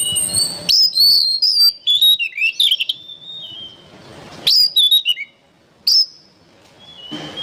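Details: Kacer, the oriental magpie-robin, in full training-song mode: rapid sequences of rising and falling whistles and sharp chips, a quiet gap, then two short loud whistled notes and a trailing soft phrase.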